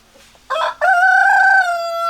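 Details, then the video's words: A rooster crowing loud and close: a short opening note, a brief break, then a long sustained harmonic-rich note held steady for over a second. "Chicken Sounds Noises Hens Clucking Roosters Crowing"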